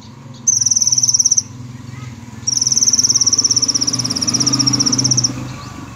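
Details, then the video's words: Sunbird, known locally as kolibri ninja, singing gacor style: two high, rapid buzzy trills, the first about one second long and the second nearly three seconds, over a steady low engine-like hum. "Kolibri Ninja Gacor"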